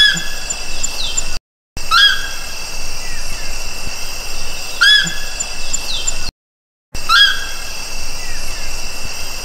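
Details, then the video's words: Rufous (Nankeen) night heron (Nycticorax caledonicus) singing: brief, squealing, slightly rising calls about every three seconds over a steady high-pitched insect chorus. "棕夜鷺/Rufous Night-Heron(Nycticorax caledonicus)singing"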